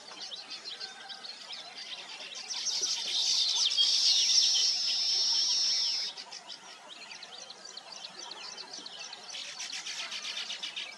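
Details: Around nesting weavers, soft twittering builds into a loud, sustained high-pitched buzzing sizzle of several seconds, which stops abruptly and gives way to renewed chattering chirps.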